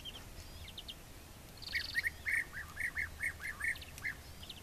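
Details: European bee-eater in Ávila province, Spain, preening on a branch while giving a quick series of liquid, rolling 'prruip' notes, about three per second, over soft background hiss and a brief buzzy sound.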